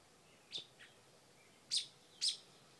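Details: A mother bird defending her porch nest of young against a dog calls in short, piercing high chips: one, a softer lower note, then two louder chips spaced about half a second apart.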